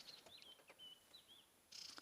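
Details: White-browed scrub robins give thin, high, slurred alarm calls at a tiny pearl-spotted owl, about 6 in long, sitting in nearby branches after it called, on an African safari drive at sunrise on July 12.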